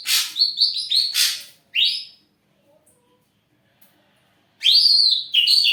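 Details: Ashy drongo in full song, suitable for luring other birds: clear, rising whistled notes in quick groups, a pause of nearly three seconds, then loud, slurred whistles.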